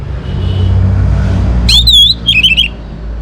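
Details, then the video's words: Young Orange-headed Thrush sounding a short high whistled phrase with a trailing trill, preceded by a low drone of vehicle noise. "ANIS MERAH Muda Gacor Untuk Pemancing Burung Berani Berkicau Ngeplong juga Teler"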